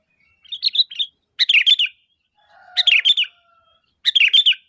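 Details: Sooty-headed bulbul calling to attract answering bulbuls: four loud, rich gurgling phrases of three or four rapid notes, spaced about a second apart, with a faint hum behind one phrase.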